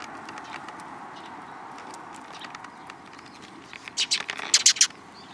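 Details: Tree sparrows approaching for food at a Tenmangu shrine front path, 10 April 2022; soft rustling and distant murmur, then a quick burst of several bright chirps near the end.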